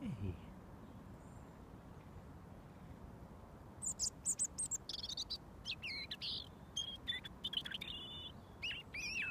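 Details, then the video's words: Wild garden robin, fed daily, singing until given mealworms; a quiet start, then from about four seconds a lively run of high, squeaky, varied notes and brief trills. "Robin Singing"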